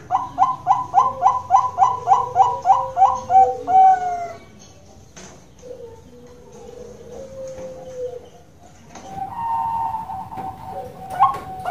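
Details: Captive Bangkok-type zebra dove (perkutut bangkok) at a breeding farm in Kroya, Cilacap, Central Java, Indonesia: a fast run of about ten soft, hollow coos, then a quieter drawn-out coo and a final bright phrase.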